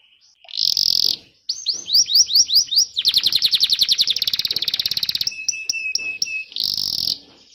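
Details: Canary singing, recorded to teach young canaries and stir birds that stopped singing: harsh buzzy bursts, a series of falling whistles, a long rapid rattling trill, then flat repeated tones and another buzz.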